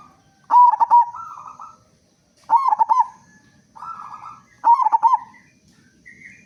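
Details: Local zebra dove with a big voice, sung to draw other doves into singing: three loud bubbling phrases of quick pulsed coos about every two seconds, each trailed by a softer smooth coo.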